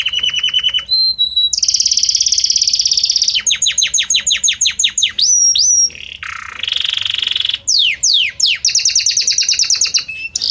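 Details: Belgian canary delivering a long, varied song with harmonious notes that shift gradually: fast trills, a brief pure whistle, a run of falling sweeps, a nasal rolled passage, steep swoops and another rapid trill, with almost no pauses.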